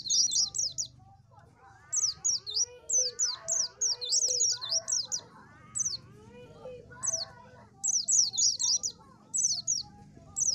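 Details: Oriental white-eye song of short, very high twittering bursts repeated every second or so, over softer mid-pitched chirps from other birds and low background noise.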